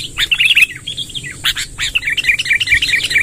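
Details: Lively sooty-headed bulbul in a long rolling song: scattered sharp notes, then a steady chain of quick warbled phrases repeated several times a second, over a high constant hiss.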